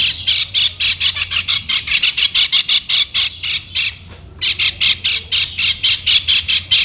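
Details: Lemon-bellied white-eye (Lombok yellow kecial), used as a lure to prompt other birds to sing: fast run of harsh, buzzy chattering notes, about five a second, a short break near four seconds, then the run resumes over a faint low hum.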